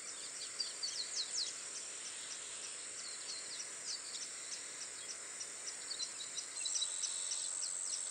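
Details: A family group of masked water tyrants at Itatiba, São Paulo, Brazil, on 24 December 2016 at 09:55, gives quick, thin, high chirps in scattered bursts over a steady, high-pitched insect drone.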